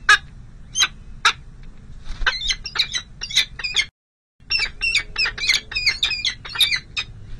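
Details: Peregrine falcons at the San José City Hall nest on 5 May 2022, during the first, difficult feeding of two small chicks: loud, harsh squawking notes in rapid clustered bursts, a brief silent gap midway, steady low hum underneath.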